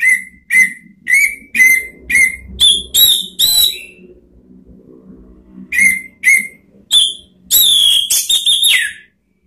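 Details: Orange-headed thrush giving ngeplong lure song to provoke other birds: a steady series of clear whistled notes about every half second, then buzzier, richer phrases, over a low background hum.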